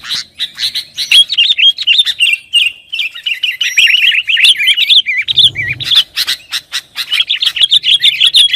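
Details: Sooty-headed bulbul in excited, noisy song for luring and tutoring: rapid twittering notes in a steady chatter, a short low hum mid-way, then faster sharp chips to the end.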